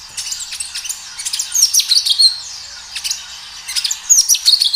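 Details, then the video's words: A kinoi in full song, recorded in natural surroundings, pours out rapid high chirps and thin whistles in uneven bursts, with softer twittering notes between the louder phrases. "Suara kinoi gacor"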